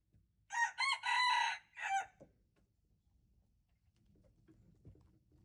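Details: Red junglefowl, recorded February 26, 2025, gives one complete crow of stuttered opening notes, a long rasping middle and a falling tail. About three seconds of quiet follow, with faint low background noise.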